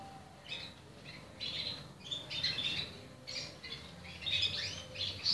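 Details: Arlequim Português canary chicks calling: thin, high squeaky chirps in irregular clusters, some bursts louder and more rasping, with low background hum.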